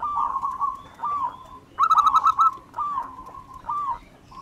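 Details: Local wild zebra dove cooing: drawn-out soft notes, a quick loud rattling phrase near the middle, then falling coos, over faint background hiss.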